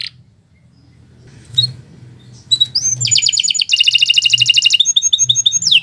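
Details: After near silence with a few faint notes, a canary breaks into song: short whistles, then a dense fast trill and several sweeping whistled notes toward the end.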